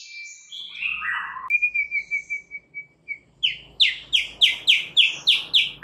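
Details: Shama lure song, played to make a white-rumped shama sing its full repertoire: descending whistled slurs, a string of soft repeated notes, then a loud rhythmic series of sharp high chirps about three per second.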